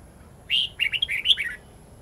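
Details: Red-whiskered bulbul singing a long, twisting wild-style song used to train young bulbuls and white-eyes: a one-second run of bright chirped and warbled notes, rising and falling, over quiet background with a faint steady high hiss.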